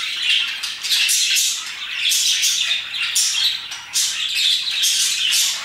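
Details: Several parakeets chatter at around 2pm, a dense run of scratchy, squawking chirps with loud bursts coming roughly once a second and barely a pause between them.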